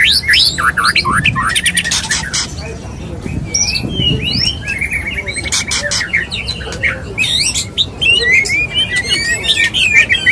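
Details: White-rumped shama, a male courting a female: bursts of harsh rattling clicks alternate with clear up-slurred whistles and chattering notes, repeated about three times a second in places, with faint low rumbles.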